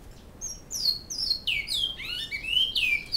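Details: Bicudo, a great-billed seed finch, singing in Canoas in the flauta style: a short phrase of sweet falling whistles followed by upward-curving slurred notes, clear and close.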